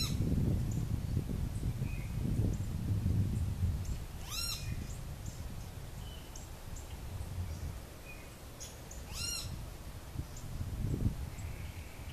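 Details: Altamira oriole in southern Texas in February, feeding on an orange: two brief harsh chattering bursts about five seconds apart, with faint thin calls of other birds and a steady low traffic rumble underneath.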